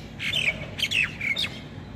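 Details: Myna in Taiwan singing busily, a tight string of loud harsh squawks and downslurred scratchy notes packed into under two seconds, little other sound audible.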